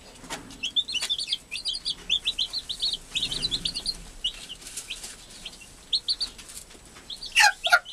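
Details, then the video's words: Freshly hatched chicks with their caring hen, an American hen; rapid bright peeps in fast trains of three to five, several chicks overlapping, ending with a few louder squeaks and rustles. "hermosa Gallina Americana, cuidando a sus recien nacidos"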